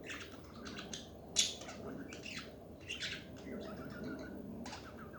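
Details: Budgies chattering indoors, a run of harsh broadband squawks and rasping chirps in uneven bursts, one sharp loud squawk standing out, over a steady low room hum.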